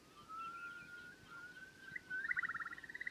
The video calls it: Curlew Sounds